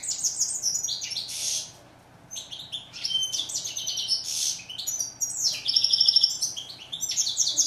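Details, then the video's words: European goldfinch, known in Morocco as steyla and in French as chardonneret, singing bursts of rapid tinkling, twittering notes with buzzy trills and brief pauses between phrases. "Song of bird goldfinch"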